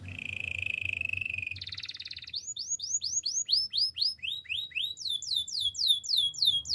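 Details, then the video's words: Spanish Timbrado canary singing for training: a level ringing trill, a short buzzy roll, then a long series of fast swooping whistled notes that speed up into a rapid cascade. "Canary singing for training - Spanish timbrado song"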